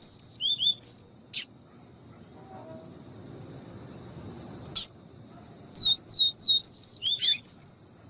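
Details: Viviti song of a double-collared seedeater, presented with a female calling to excite the male: a quick phrase of falling whistles with an upswept end, sharp clicks, then a longer run of about eight whistled notes and a bright closing flourish.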